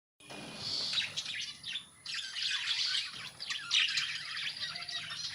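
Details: A colony of budgerigars flying and playing chatters nonstop with overlapping high, scratchy chirps and warbles.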